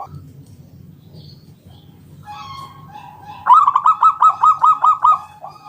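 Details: Local wild zebra dove, 'ngalun kung bulat' lure song to prompt other doves to sing: after a quiet start, about eight rapid rolling coo notes in a steady rhythmic burst.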